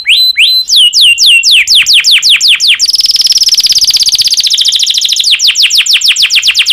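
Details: Breeding-condition domestic canary singing as a lure for other canaries: a steady series of bright downward-slurred notes, switching into a rapid rolling trill, then back to repeated slurred notes.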